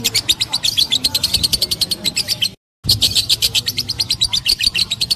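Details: Lovebird ngekek chatter of rapid, evenly spaced high chirps, cut by a short silent break midway, with a faint low background hum.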